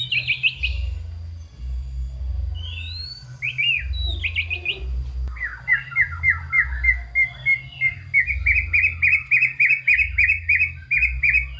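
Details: Energetic White-rumped shama song rich in fill-in phrases, used to stir shamas that sing little: a few clear whistled notes, then a long, fast, stuttering chatter that rises slightly and keeps up a steady beat.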